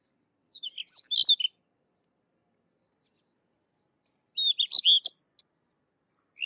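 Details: Sykes's lark singing two separate bursts of fast, high twittering notes, about three seconds apart, with a third phrase beginning at the end. Silence fills the gaps.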